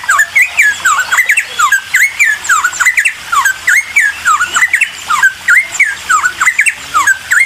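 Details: Bulbul song used as bait to draw answering birds: lively string of whistled notes that drop then flick upward, delivered in quick bursts with tiny pauses between.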